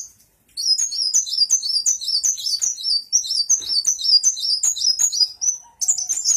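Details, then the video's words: Sunbird (kolibri muncang) in full song, wagging its tail: a long, fast, continuous stream of very high, sharp chirps and twitters, repeated almost three times per second with only one brief pause. "Kolibri Muncang gacor goyang" ekor"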